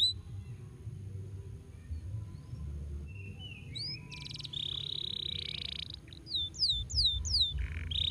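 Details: A Belgian canary sings a varied, high song of quick whistled sweeps, a sustained buzzy roll and fast trills, over a low steady rumble.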